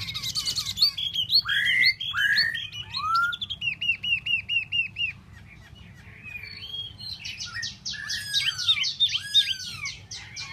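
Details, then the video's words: Tieu mi bird singing solo in bursts: chattering high trills and looping whistles, a short pause, then a fresh phrase of fast high notes and falling slurs. "Tieu mi de ban choi solo"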